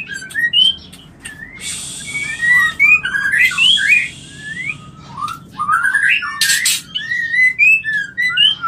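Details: White-rumped shama mating call, used to bring shamas into breeding condition and mate: rich varied whistled phrases, rising and falling slurs mixed with harsh buzzy bursts and sharp high notes, delivered in quick irregular runs over a faint low hum.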